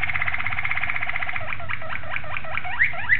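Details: Malinois Waterslager canary recorded on 26 October 2012, singing a fast, throbbing trill that breaks into repeated swooping notes, then two brief high whistles at the end.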